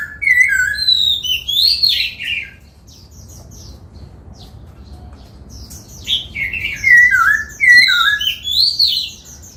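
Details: Laughingthrush trained to sing the 'bắt cô trói cột' phrase while dancing gives rich, varied whistled phrases in two bursts separated by a few seconds of quiet, with slurred notes falling from high to mid pitch.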